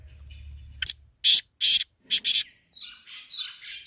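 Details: Black francolin voice meant to draw a francolin into calling: one sharp clipped note, then two long grating rasps, a pause, and two more quick harsh notes, followed by softer scratchy chatter and a steady high whine.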